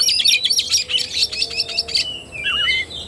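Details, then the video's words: Oriental magpie-robin in kacer tarung fighting-style song, 17 August 2021: two seconds of dense rapid chatter, then a few clear, wavy, descending whistles. "KACER TARUNG"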